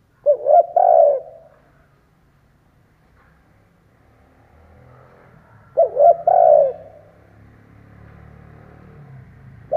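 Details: Caged decoy spotted dove calling to provoke wild doves: two soft, hollow coo phrases about six seconds apart. Each is a short stuttered pair followed by a long falling hoot, over a faint low hum.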